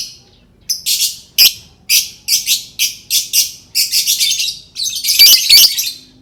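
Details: Lovebird calling meant to set other lovebirds singing, a fast run of rasping, high chattering notes in quick succession that merge into a dense, continuous screechy chatter toward the end.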